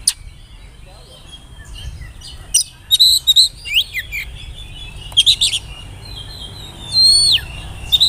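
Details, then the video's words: Oriental magpie-robin, spotted young-plumage type (kacer trotol), whistling song used as a lure to get young birds singing: high whistled notes, rising sweeps and short clustered chirps in bursts, with a long steady whistle near the end over low background hiss. "pancingan suara burung kacer bersiul bikin emosi lawan cocok buata pancingan kacer muda"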